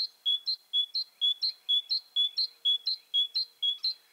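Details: Great tit (Parus major) singing, a songster ranked second among the best bird voices of Russia. It gives a ringing two-note phrase, a higher note then a lower one, repeated steadily about every half second, nine times in a row, against a quiet background.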